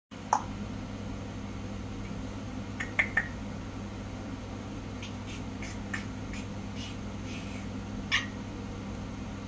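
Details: A quiet indoor room with a steady low hum and a few sharp clicks and taps scattered through it.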